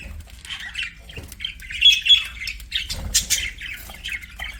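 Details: Pet budgies warble and chirp in rapid scratchy chatter, with a few louder squawks rising in the middle and near the end.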